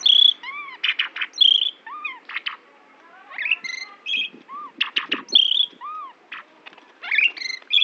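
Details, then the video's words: Asian pied myna of Central Java delivering a varied imitative song that borrows phrases of shama, orange-headed thrush, canary, prinia and Bali myna; clear whistles, arched low notes, sharp clicks and squawky bursts separated by brief pauses. "RAJA BURUNG JALAK SUREN JATENG GACOR - FULL ISIAN"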